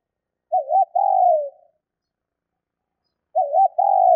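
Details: Female spotted dove call used to stimulate males: two low cooing phrases roughly three seconds apart, each opening with a wavering double note and ending in a long, softly falling coo.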